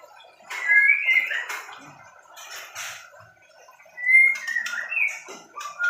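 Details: Medan-type white-rumped shama kept in a small aviary while being paired: clear whistled notes sliding up and down, separated by pauses and broken by short harsh rasping bursts, in a quiet indoor setting.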